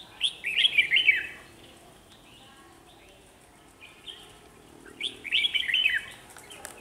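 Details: Red-whiskered bulbul used as a trapping decoy sings lively warbled phrases, with a burst of rapid slurred whistles, a quieter middle passage and another loud burst near the end.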